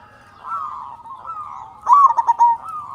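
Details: Zebra dove of a local type, a vigorous singer used to prompt other doves to call, delivers one loud, punchy run of staccato coos after a stretch of quieter cooing from other birds.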